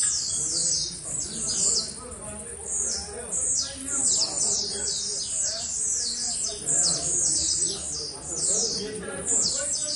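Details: Blue-black grassquit singing with great energy: continuous series of high, buzzy downward-sweeping notes repeated rapidly for several seconds, with faint lower background sounds throughout.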